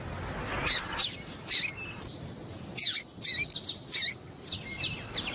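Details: Papa-capim female call, said to get the male excited. Sharp high chirps come singly and in short clusters through the clip, with brief thin whistled notes between them, over a quiet background.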